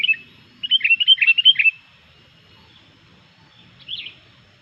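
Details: Sooty-headed bulbul singing energetically: a tight, quick series of about eight bright, bouncy chirps, then silence and one last short, slurred note. Such song is said to rile other bulbuls.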